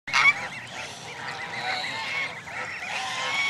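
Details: Canada goose goslings at Jess Ranch Lakes Park on May 23, 2014, among many gathered families, keep up a steady, overlapping chorus of high, wavering peeps with no pauses.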